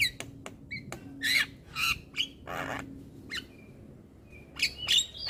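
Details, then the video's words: Young Javan myna, singing and head-bobbing: harsh squawks and raspy bursts alternating with short clicks and a few thin whistles. "Ocehan Jalak Kebo Muda Suara Asli Jalak Kebo Manggut Manggut Ngoceh Tanpa Henti"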